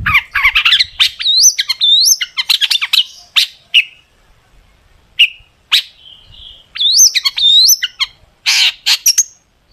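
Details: Sharp tembakan phrases in long-tailed shrike gacor song: quick rising whistles and scratchy chatter come in two long runs, separated by a few isolated short notes.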